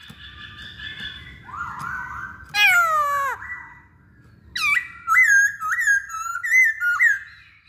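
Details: Masked laughingthrush singing as a trigger for other birds: a harsh descending slur, a pause, then four looping whistled notes repeated about every half second over faint low hum.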